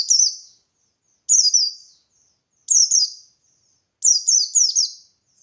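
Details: White-eye of the buxtoni type singing ngalas gacor song meant to make other white-eyes answer: high, sharp, falling twittered notes in short bursts of one to three, repeated roughly every 1.3 seconds.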